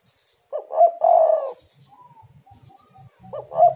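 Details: Spotted dove cooing, used as a lure to prompt other doves to call: a short two-note lead-in and a longer hollow coo, followed by quieter low notes and the start of another phrase.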